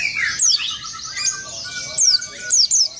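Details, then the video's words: Oriental white-eye rolling song that stirs up rival birds: sharp, very high whistles slide rapidly downward in short bursts at the start and end, with steady lower chirps in between. "suara pleci buka paruh dan Ngeroll bikin emosi burung lawan"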